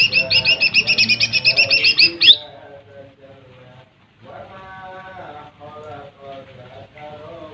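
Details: Lesser green leafbird song meant to provoke rival birds: a rapid series of about fifteen repeated bright, ringing notes ending in a harsh note, then lower soft warbling twitter in the background.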